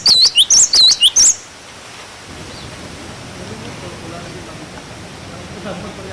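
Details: Cinereous tit giving its 'wucit wucit' song as a tutor for young birds: a brief burst of five or six sharp, high whistled notes, then a long stretch of faint steady background noise.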